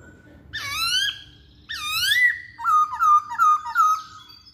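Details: Masked laughingthrush song used to prompt other birds to sing: two loud upward-sweeping whistles, then a quick series of short looping whistled notes repeated about three times a second.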